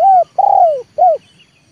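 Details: Close, loud cooing from a trained spotted dove decoy: a rounded coo, a longer coo sliding downward, and a short arched final note, all mellow and low in pitch.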